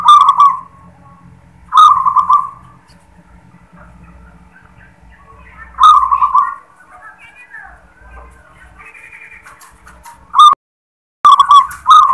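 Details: Zebra dove of local stock giving "klar ketek kuk" song phrases, short purring coos spaced a few seconds apart with quiet stretches and faint background chatter between.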